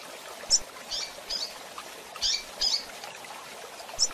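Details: Female double-collared seedeater chirping for bird training: scattered high, thin chip notes, a couple of buzzier doubled calls in the middle, roughly half a dozen in four seconds over low background noise.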